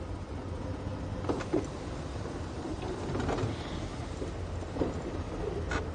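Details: A low engine rumble from a morning safari drive vehicle, broken by scattered knocks and rattles.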